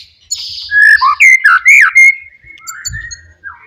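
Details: Wild forest white-rumped shama singing loudly to provoke rivals: rich varied phrases of slurred whistles, rising and falling notes around the middle register, with a brief low thud near the end.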